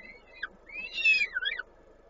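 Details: Peregrine falcon feeding at its nest in Koszalin, Poland, 19 May 2022; a short thin whistle, then a longer wavering whistled call that rises and dips, over faint steady background noise.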